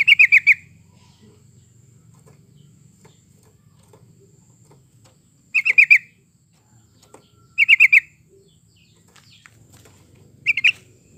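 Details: Yellow-vented bulbul sound used to stimulate singing in kept birds: four short bursts of rapid, sharp chirps, each of about four notes, spaced several seconds apart over a faint low hum and a few soft clicks.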